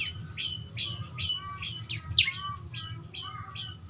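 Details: Young prinia giving high chirps, with the sound played to encourage a caged bird to sing. Short, slightly falling notes repeat steadily about every third of a second, with one louder sharp note and a low hum underneath.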